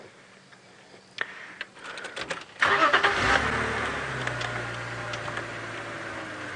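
A car engine starts after a few clicks and knocks, then revs and settles into a steady idle, with no animal calls audible.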